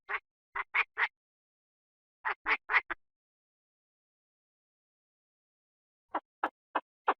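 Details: Chinese francolin calling: harsh, grating broadband notes in tight bursts of three or four, separated by long silent pauses, with no other sounds.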